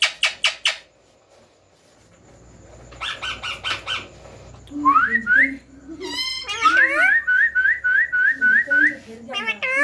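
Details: Young rose-ringed parakeets at feeding time begging: a few sharp clicks, then a steady series of short upslurred whistled notes, about four per second, mixed with harsher squeaks and a faint low hum.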